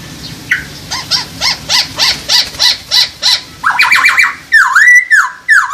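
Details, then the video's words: Masked laughingthrush mating call to raise breeding drive: a series of harsh, rasping notes about three per second, then clearer looping whistled notes at the end over low background noise. "poksay hongkong kawin"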